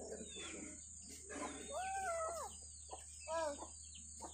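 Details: Village mother hen leading her chicks while they search for food; two drawn-out, arched, harmonic calls, one long and one short, over a steady low hum with faint high chirps.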